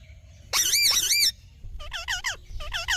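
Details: Green parrot letting out one long, rasping screech followed by a string of shorter, bouncing squawks.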